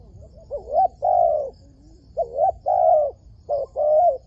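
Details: A wild dove being lured into a trap gives clear, mellow cooing notes. They come as pairs of short rising-falling phrases, each followed by a longer, steady hooting note, repeated three times over a quiet background.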